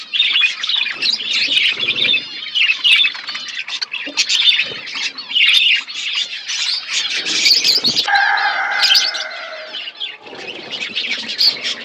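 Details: Budgerigar flock chattering as it eats, busy overlapping chirps and squawks, broken near the end by a short low steady tone with stacked bands.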